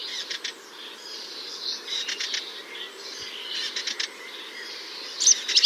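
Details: Melodious warbler, a summer visitor whose song includes some imitations: a complex, varied, fast, high, chattering warble of scratchy notes and short bursts, running on without pause against quiet background hiss.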